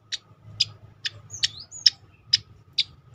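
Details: Striated grassbird tembakan song for training other birds: seven sharp clicks spaced evenly, joined by thin high whistled slurs in the middle, over a soft low rumble.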